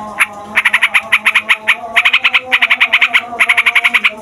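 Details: Fighter yellow-vented bulbul rolling at length to rouse other bulbuls into song: a sharp opening note, then quick harsh notes in long runs, about eight per second, with short breaks.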